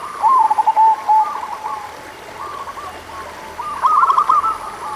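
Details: Local zebra dove lure song to get lazy doves singing: a rippling coo phrase, softer scattered notes, then another quick trilled burst, over mild hiss.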